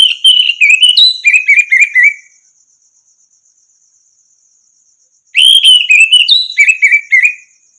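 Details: Song of an orange-headed thrush, used as training to coax caged birds that have fallen silent into singing. A fast, varied run of rich whistled notes stepping up and down is repeated after a pause, with a faint insect trill behind.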